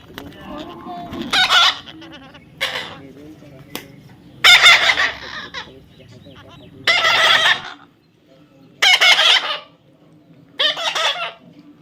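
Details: Baby parrot undergoing taming, with a series of harsh grating squawks spaced about two seconds apart, a few brief clicks and softer notes between them, over a low background hum.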